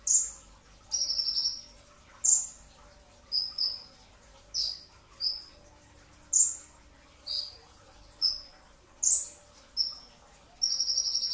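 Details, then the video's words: Brown-throated sunbird in a pre-dawn training recording, firing about a dozen rapid, shrill notes: sharp downslurred whistles mixed with short high trills, ending in a buzzy phrase, all very high-pitched. "masteran pedas kicau konin dacok, kolibri ninja 2tak dada coklat full tembakan rapat di saat sahur"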